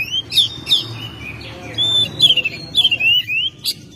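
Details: Oriental magpie-robin kept at home, singing in May with clear whistled phrases: sliding downward slurs, a level whistle, then quick rising notes and crisp clicks, in a fairly quiet setting.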